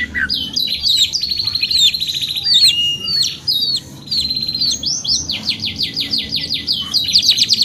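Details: Canary song made of long rapid rolling trills and steady repeated notes, broken by brief whistled flourishes and one short pause, delivered loud and continuous.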